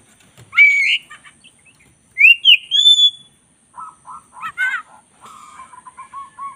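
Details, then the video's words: Black-breasted white-rumped shama, a caged songbird, in a master song recording: a rising whistle, a pair of clear upward-slurred notes, then softer lower warbles and a trailing series of quiet repeated notes. "masteran kacer dada hitam GACOR"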